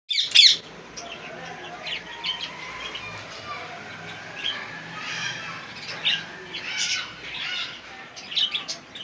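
A rose-ringed parakeet gives a loud, harsh screech at the start, then scattered shorter, raspy squawks every two seconds or so against a quiet indoor background.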